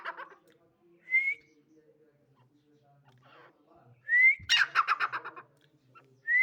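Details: Female grey francolin (dakhni teetar) with short rising whistles and one full phrase of rapid, harsh pulsed notes, surrounded by faint low background sounds.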